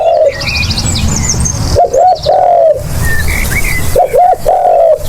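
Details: Low, hollow cooing of a spotted dove, recorded for use as a lure: two phrases of double short notes leading into a sustained, slightly falling coo, amid twittering small birds and steady low rumble.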